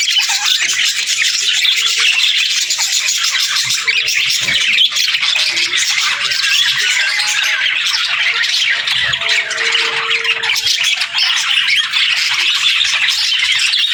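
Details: Chattering budgerigar pairs exchanging calls: steady, busy high-pitched warbling and squeaky twitters that run unbroken, with a few brief lower tonal notes in the background.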